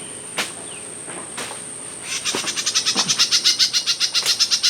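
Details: Myzomela recorded on 12/25/22 as raw observation footage: after a few faint clicks, a rapid run of sharp, high-pitched chips starts midway and repeats about four times per second, steady and unbroken, over a thin constant high whine.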